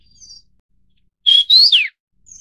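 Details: A Vinous-throated Parrotbill of the Taiwan-endemic subspecies Paradoxornis webbianus bulomachus gives one quick, high chirpy phrase: a thin steady note, then a sharp rising-and-falling twitter, with faint thin whistles before and after.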